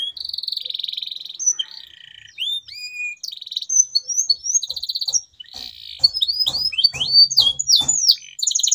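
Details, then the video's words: Singing canary, meant to stir silent canaries into song: a buzzy trill, then varied whistled phrases and abrupt chirps, with sharp clicking or tapping sounds scattered through the later part. "CUITAN KENARI 100% GACOR"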